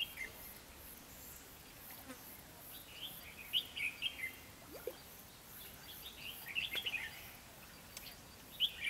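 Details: Red-whiskered bulbul recorded during trapping on 3 November 2016, with a newly used decoy bird singing to lure wild birds. Short, bright warbled phrases come in scattered bursts, clustering near 3.5 and 7 seconds, faint over steady background hiss.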